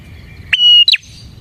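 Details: Bar-winged prinia, song played to attract prinias: one short clicking onset, a clear level whistled note lasting a third of a second, then a brief upward-flicking chirp.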